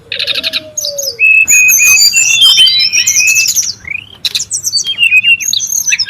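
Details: Brown-chested jungle flycatcher calling noisily in the wild: a low slurred whistle, then a dense burst of high, fast chirps and twittering whistles. Sharp notes overlap through the middle, with brief quieter gaps between.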